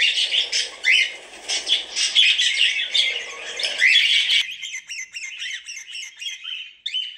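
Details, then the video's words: Cockatiels calling in a relaxing recording: dense harsh chatter and squawks for about four seconds, then a run of short repeated high chirps. "Cocktiels video and sound"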